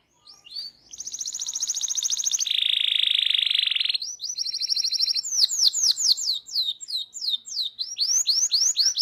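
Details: Canary masteran recording, local kenari singing full ngeroll: rising note into a high rapid trill, a low buzzy roll for over a second, then quick repeated downslurred whistles.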